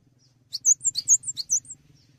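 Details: Cinereous tit in full song, used as tutor material for songbirds: one burst of about eight high, sharp notes alternating between two pitches, quick and clipped, with a faint low hum behind.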